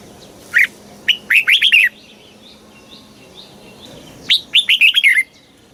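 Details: Red-whiskered bulbul from Thailand singing in the southern master-pattern style, played to excite birds and teach young ones: a single bright note, then two quick bursts of warbled, chirpy notes with faint distant birds between.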